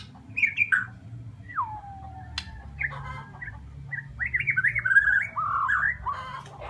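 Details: White-rumped shama from Borneo singing a varied run of whistled phrases, a long sweeping note falling steeply, then rapid rising and falling warbles around the middle register, with a low steady hum beneath.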